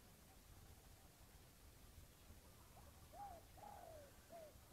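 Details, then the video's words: Wild red junglefowl crowing while being lured to fight a decoy: one faint short crow, a rising note falling into a drawn-out slur, heard near the end over steady low background noise. "Pikat ayam hutan"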